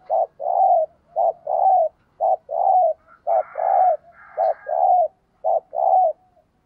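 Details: Steady thúc gù cooing from a decoy spotted dove used for luring wild doves: paired short-then-long coos repeated roughly every second, with a brief rustling noise in the middle.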